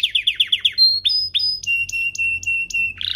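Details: Canary singing as a tutor song for young canaries: quick repeated downslurred notes, two clear high whistles, then a level piping tone broken into regular pulses, finishing with a buzzy burst.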